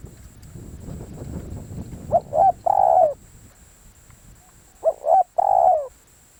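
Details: Spotted dove calling as a decoy: two cooing phrases about three seconds apart, each of two short notes then a drawn-out, mellow, slightly falling coo, over low rumbling background noise.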